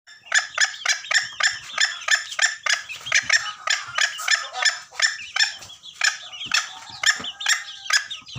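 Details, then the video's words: Junglefowl call from Gunung Kambeng, played to lure birds for trapping: a steady series of harsh, raspy bursts, about three each second, running unbroken for over eight seconds with a thin, trebly quality. "Suara ayam hutan pakay nangkap"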